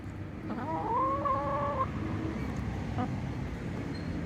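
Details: Chickens outdoors on a cool sunny day; one bird gives a long, nasal, level harmonic call of over a second, with a short soft note afterward, against constant low-pitched background hum.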